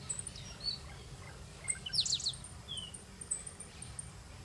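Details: A Shiny Cowbird gives its southern-hemisphere spring breeding-season song, a screechy burst of high, squeaky notes ending in a loud, drawn-out, falling whistle, with thin high notes around it and a low background rumble.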